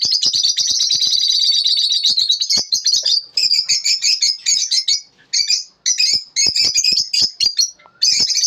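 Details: Morning lovebird chirping: long rapid chatter of high twittering notes, then broken into short bursts separated by brief pauses toward the end.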